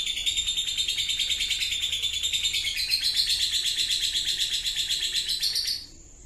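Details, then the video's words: Lovebird ngekek, a long unbroken chatter used to provoke singing: a high, buzzy, fast-pulsed trill that rises a little in pitch near the end, then stops abruptly, leaving quiet. "Pancingan mental loberd ngekek"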